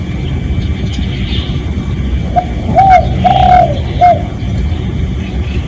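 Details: Real recording of a spotted dove calling, used as a decoy sound to attract other doves: a short series of low, smooth coos, the middle one drawn out and falling, over steady loud traffic rumble.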